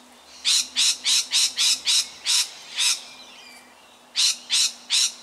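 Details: In suburban Melbourne, Australia, October 2019, a lorikeet unsettled by a tiger snake screeches harshly: a fast run of eight grating calls, a pause of over a second, then three more shrieks.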